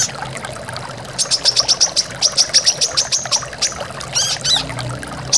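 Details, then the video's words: Master recording of a brown-throated sunbird singing full tembakan for caged-bird training: after a quiet start, a quick series of sharp high notes repeated several times a second, then a short warbled twitter, amid roaring waterfall sound. "MASTERAN KORLAP GACOR FULL TEMBAKAN"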